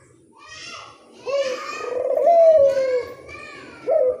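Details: Barbary dove lure call: a drawn-out, slightly falling mid-pitched coo with a shorter coo before it and a rising start of another at the end, plus faint soft indoor noise.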